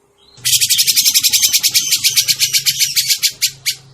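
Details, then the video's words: Grey-cheeked bulbul, played as a trapping lure: an unbroken, fast buzzy rattle of about three seconds, gradually loosening into spaced notes, with a low hum behind. "suara pikat burung cucak jenggot"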